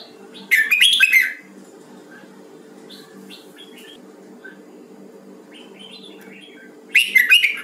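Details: A red-whiskered bulbul of the Huế type, used for song training, gives two loud, bubbly whistled phrases, one near the start and one at the end, with faint scattered notes between over a steady low hum.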